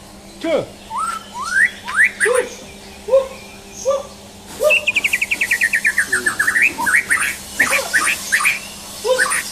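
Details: Champion white-rumped shama in a mental test: varied whistled upslurs and low notes, then a rapid trill of repeated descending notes, followed by loud mixed phrases, with a constant low hum behind.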